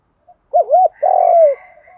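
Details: Calling coo of a spotted dove, giọng đồng style: a soft lead-in note, a pair of rounded looping hoots, then one drawn-out rough coo that drops at its end, with faint background hum.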